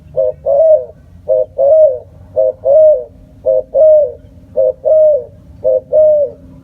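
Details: Spotted dove's rhythmic cooing: six evenly spaced phrases, each a clipped note followed by a longer mellow descending coo, repeating about once a second in a quiet setting.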